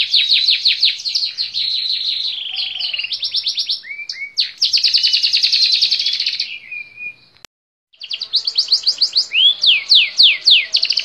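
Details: Long canary song of rolling high trills, a few low slurred whistles and a sustained buzzy roll, briefly cut to silence before resuming with fast repeated notes and downward sweeps.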